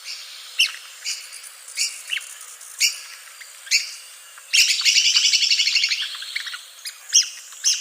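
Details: Sharp, high-pitched calls of a red-cockaded woodpecker from southeastern United States pine forests: separate squeaky notes about every half second, then a dense buzzy chatter lasting two seconds, before single notes resume.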